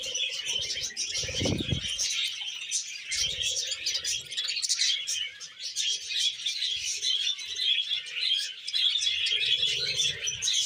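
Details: Happy budgerigar keeping up long, busy warbling full of squeaky chirps and rasping notes, with occasional dull bumps in the background.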